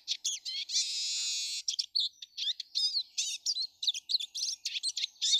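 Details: One of many Eurasian siskins visiting a garden on 19 March 2013 sings a fast, high twittering song with a long, drawn-out buzzy wheeze near the start, followed by quick scratchy chirps and trills.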